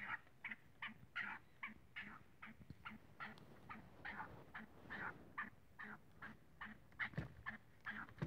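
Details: Black francolin (kala teetar), playful and lively, giving a steady run of harsh, clucking notes, about two or three each second, with a faint low hum beneath.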